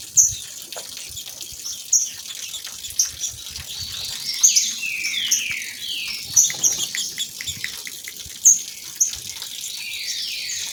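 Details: Two female green-winged saltators singing together, meant to warm up males and get them singing, set against waterfall sound; clusters of downward-sweeping whistled notes and bright high chips repeat through the recording above a constant watery hiss.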